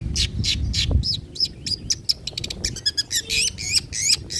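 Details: Long-tailed shrike (cendet, pentet trotol) singing old-style varied material used for luring and tutoring birds: harsh squawking bursts alternating with high thin whistled and slurred notes in a fast, uneven sequence.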